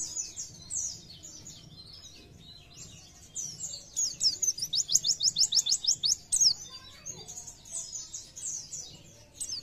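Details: Oriental white-eye (pleci) in energetic 'gacor nembak' song, meant to spur other white-eyes to sing more: high thin twittering phrases, with a loud rapid burst of evenly repeated notes in the middle and softer chatter around it.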